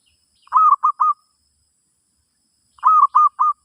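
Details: Song of a zebra dove, used to teach a new bird: two three-note cooing phrases, staccato and mid-pitched, a longer opening note then two shorter ones, spaced a little over two seconds apart.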